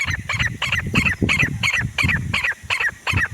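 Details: Loud, repeating grey francolin call, sharp ringing notes delivered about three per second in a regular chant, with low background rumble throughout.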